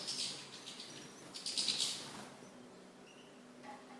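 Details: Goldfinch chicks, a brood being fed by a parent: short bursts of high, hissing, chattering begging at the start and again just before the two-second mark, then fainter high notes in a quiet room.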